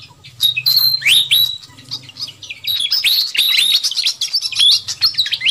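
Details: Noisy fantail flycatcher lure call for luring wild birds: sharp upslurred chirps and short level whistles build into a thick, overlapping chatter, with a low hum in the background.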